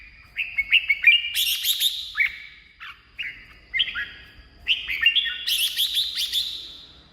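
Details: Red-whiskered bulbul song for rousing caged birds or luring wild birds: a run of short, rising-falling whistles about three per second, broken by brief pauses, then a busy chattering phrase.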